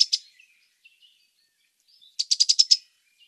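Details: Cetti's warbler giving a sudden burst of six sharp, evenly spaced loud notes, preceded by two brief emphatic notes and a few faint soft calls.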